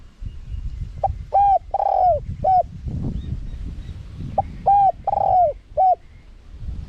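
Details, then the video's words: Spotted dove, small-voiced, cooing in wild style to lure wild doves quickly. Two matching phrases about three seconds apart, each a sharp opening note, a hollow coo, a long falling wavering coo and a short closing note. "เสียงนกเขาใหญ่ คารมป่า (เสียงเล็ก) มีขัด มีหนุน คูอ่าง ใช้สำหรับเปิดต่อ ยั่วนกป่าเข้าร่วมเร็ว"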